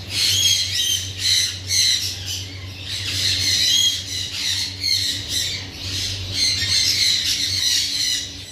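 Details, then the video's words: Parrots giving loud, harsh, scratchy squawks in uneven bursts that rise and fall in strength, several calls running together, with a constant low droning hum beneath. "raw parrot"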